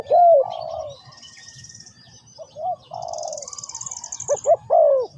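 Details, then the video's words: Low, mellow dove coos: a loud falling note opens, softer drawn-out coos follow, and a quick stutter of short notes ends in a strong falling croo. A high buzzing trill runs in the background twice. "Sound Of Spotted Dove"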